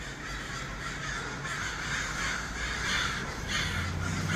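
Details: Many crows in Los Angeles calling: coarse, drawn-out caws overlap in waves, growing louder toward the end, set against a constant low-pitched hum.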